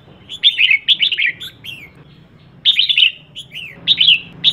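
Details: Female red-whiskered bulbul calling to stimulate males: loud, bright whistled phrases of quick rising-falling notes in three bursts about every one and a half seconds, each a tumbling run of clear chirps, with a faint low hum behind.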